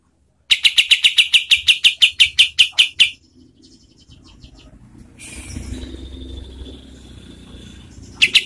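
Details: Kapas tembak, kept as a tutor song for competition birds, gives a fast run of sharp, bright chirps that then stops. Soft rustling follows and a new burst starts at the end.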